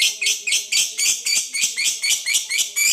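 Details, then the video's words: Long 'ngekek' chatter from a fighter lovebird, played to make silent rivals answer: loud, grating, high notes in a steady series of about three per second, with slight variation between bursts. "PANCINGAN LOVEBIRD NGEKEK PANJANG, PALING JITU PANCING EMOSI LAWAN, LABET MALAS BUNYI LANGSUNG NYAUT"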